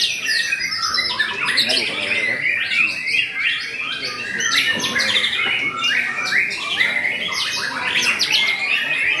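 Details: Murai batu, or white-rumped shama, performing in a songbird contest with a fierce fighting style. Continuous rapid torrent of sharp whistles, trills and chatters over nine seconds, layered over other competing birdsong.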